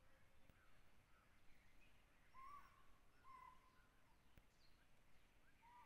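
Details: Jungle owlet in Tansa Wildlife Sanctuary, Maharashtra, India, giving a few soft, slightly upslurred hoots spaced one to two seconds apart against quiet rustling background noise.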